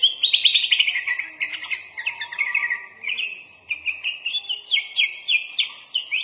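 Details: Lively kutilang, or sooty-headed bulbul, singing a full-fill song with magpie-robin-style fills: sustained rapid chattering phrases, a brief dip in loudness midway, then crisp, repeated, upward-flicking notes.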